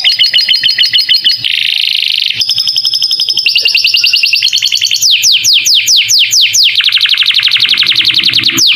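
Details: Canary master song with lovebird-style fill, for tutoring young songbirds: loud high rolling trills, a buzzy band, fast rapid trills, then a rhythmic series of steep downward-swept whistles and a long buzzy roll.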